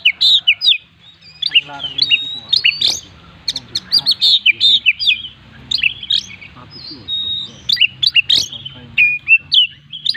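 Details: Kacer (Oriental magpie-robin) singing nonstop in full isian style: dense rapid chips, clicks and whistled slurs in a busy run, with a brief drawn-out whistle and a low hum throughout.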